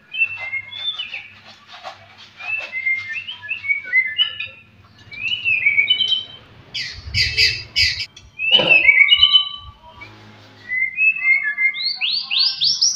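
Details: Murai batu, the white-rumped shama, singing to provoke rival birds: varied quick whistled phrases and trills, harsh buzzy bursts midway, ending in rising sweeping whistles, with low background rumble.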